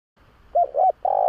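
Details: Cooing phrase of a spotted dove used to draw in other doves: two clipped coos with bent tops, followed by a sustained, even coo that runs to the end.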